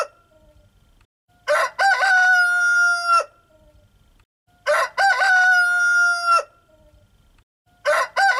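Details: Rooster crowing: two full crows, each opening with short choppy notes and then a long, steady, harmonic-rich drawn-out note lasting over a second, with the start of a third crow at the end. Quiet background between crows.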